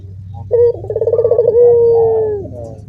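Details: Barbary dove cooing in a cage with other doves joining in: a brief opening note, a rattling trill, then a sustained mellow tone sliding slightly down, with faint low rumble behind.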